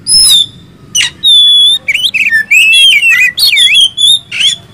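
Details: Oriental magpie-robin of the ngobra, poci or local kind, kept as a songbird, delivering a rich rapid song: harsh bursts, a steady pure whistle, then tumbling twisting notes and trills over a low background hum.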